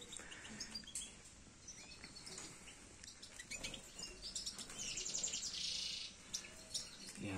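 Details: European goldfinches in an outdoor breeding aviary in Greece keep up a bright, tinkling twitter of quick high chirps and trills, several birds overlapping, with a faint murmur of voices underneath.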